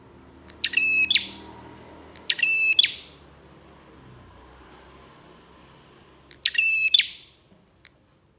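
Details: Lure song of a bar-winged prinia meant to start other prinias singing: three grating, rattling phrases with a sustained ringing tone, two close together, then a long pause before the third, over a low background hiss.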